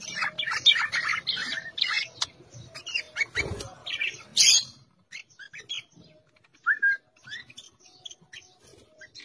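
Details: Budgerigars of the cinnamon mutation chatter with rapid, scratchy warbles and sharp chirps, busiest in the first half.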